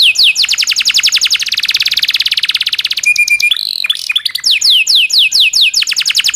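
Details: Training master song of a domestic canary, 'cuit cuit' with long rolls: a long rapid trill of evenly repeated high notes lasting about two seconds, then steady tones and complex warbles, ending in quick downward-swept chirps.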